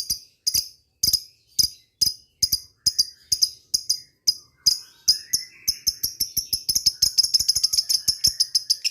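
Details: Lovebird in ngetik style, calling to rivals: crisp high clicking chirps at first spaced about half a second apart, then speeding into a dense rapid ticking run.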